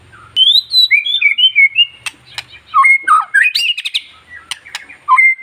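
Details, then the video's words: Provocative song of a long-tailed white-rumped shama, used to stir other shamas to sing. Clear high whistles open, then sharp clicks and scratchy notes mix with short, looping warbled phrases. "MENINGKATKAN EMOSI BURUNG MURAI Dengan Suara murai batu ekor panjang"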